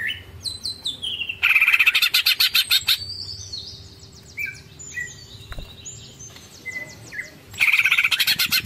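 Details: Greater green leafbird singing the long ngekek style, full of tengkek phrases: clear slurred whistles sliding down, then dense bursts of rapid chattering notes, a quieter stretch of scattered whistles, and another loud chatter burst at the end.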